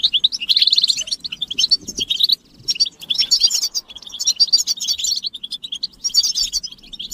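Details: Goldfinch group chirping meant to make a male sing without interruption: a fast, even trill opens, followed by jangling twitters and buzzy notes, with a brief dip in loudness partway through.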